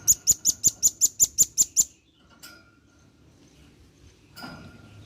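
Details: Vigorously calling male velvet-fronted nuthatch summoning its companions, recorded for use as a lure: a fast, evenly spaced run of about ten sharp, high-pitched chips, then quiet with a faint hum.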